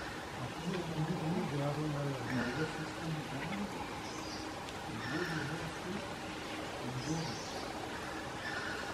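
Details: Great Slaty Woodpecker at Camp Kyari Syat, Corbett, in February wilderness, giving bursts of low, nasal, whinnying notes in quick runs, with faint higher bird calls in the background.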